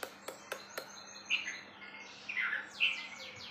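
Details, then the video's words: A wambi bird sings high, bright whistled chirps and quick falling sweeps, preceded by three sharp clicks, over a low steady electrical hum. "suara burung wambi bikin ambrol"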